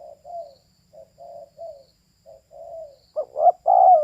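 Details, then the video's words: Female spotted dove opening with several soft, low, muffled coos, then one louder phrase of clipped double notes ending in a drawn-out, falling coo. No other sounds are heard. "เสียงนกเขาใหญ่/Suara Burung Tekukur"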